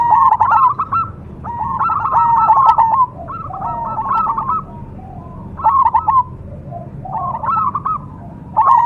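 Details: Cemani zebra dove sings a series of bubbly, staccato cooing phrases, some louder and some softer, recurring at irregular intervals over a faint background hum.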